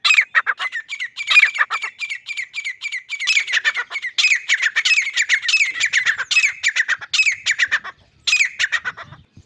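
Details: Grey francolin (Ortygornis pondicerianus), known as teetar or grey partridge, calling loudly: harsh, ringing notes in rapid repeated series with brief pauses between bursts.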